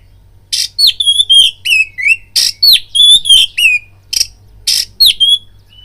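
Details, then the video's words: Oriental magpie-robin singing to provoke fighting: repeated harsh rasps interleaved with bright downslurred whistles, steady brisk rhythm of roughly three notes a second. "BIRAHI TARUNG KACERMU NAIK DENGAR PANCINGAN KACER INI BUNYI"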